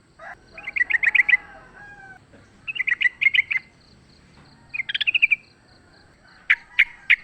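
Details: Sooty-headed bulbul in the wild, fighting, serving as a lure: several short bursts of rapid bubbly chatter with pauses between, ending in three loud spaced chirps.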